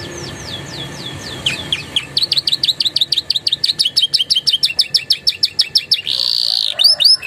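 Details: Singing canary whose song carries Javan tesia and bar-winged prinia phrases, used as a training song for other birds. A few slurred whistles open into a fast run of sharp, high chipping notes, ending in a buzzy trill and hooked whistles.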